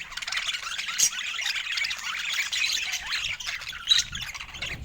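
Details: Budgerigars chirp over fresh food in a soft overlapping warble of high notes, punctuated by two louder sharp squawks, with some low rustling toward the end.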